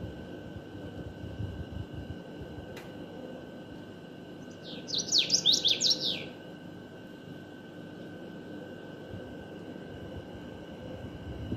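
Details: Common waxbill singing, heard as a single brief burst of high, buzzy, tightly packed notes lasting about a second, set against a steady electrical hum and quiet background noise.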